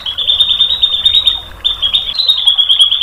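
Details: White-rumped shama tutor song used to provoke a reply: a sustained, high, rapidly pulsing trill, like a fast buzzy rattle, broken briefly and resumed slightly higher.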